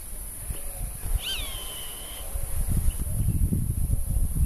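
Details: Roadside hawk calling in its season of territorial defence, marking presence in voice and flight. A single shrill, nasal scream dips and trails off in a long level tail. Gusty, low wind noise builds toward the end.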